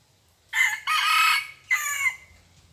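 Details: Red junglefowl crowing in a cemetery forest while wild birds are lured with a decoy: one loud, harsh crow in three parts, a short opening note, a long rough middle note and a falling end note.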